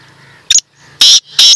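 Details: Black francolin calling at close range: three loud, harsh, rasping bursts, a short clipped note followed by two longer grating notes about half a second apart, with a faint low hum beneath.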